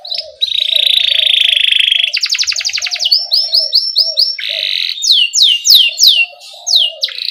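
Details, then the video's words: Canary rolling song ('ngerol') for teaching young canaries to sing: a long buzzy roll, a fast pulsed trill, evenly spaced chirps, then a series of loud downward-sweeping whistles. Soft lower notes accompany it. "Pancingan Kenari Gacor NGEROL Cuit CUIT"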